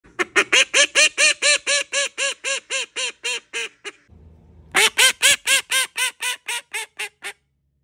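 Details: A pet call duck gives loud, nasal quacks in a fast run of about four a second, then pauses briefly before a second rapid burst; its owner tells the ducks apart by their voices.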